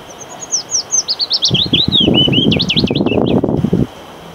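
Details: Willow warbler singing on 8 May 2022 close to a visible female, shaking its wings; the ultrasonic song carries only a short distance. A descending cascade of sliding whistled notes lasts about three seconds, with fluttering, rustling low sounds beneath the second half.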